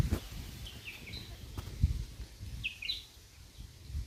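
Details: A White-throated fantail (Rhipidura albicollis) in the Guhagar area of Kokan, India, calls with two brief bursts of thin, high whistled notes, rising and falling, about two seconds apart, over a steady low rumble.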